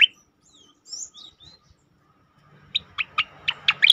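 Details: Striated grassbird, 'tembakan' song style for training and provoking caged birds: a few thin, high slurred whistles, silence, then a series of evenly spaced sharp chirps quickening toward the end.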